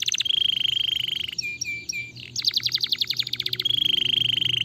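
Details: Stimulating canary song: a rolling trill, then a few soft piping notes, a fast rattle of bright notes, and a return to a steady rapid rolling trill.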